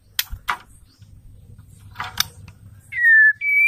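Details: Loud clicks and rustling, then a female white-rumped shama's provoking call: a falling whistled note followed by a higher, steady whistle.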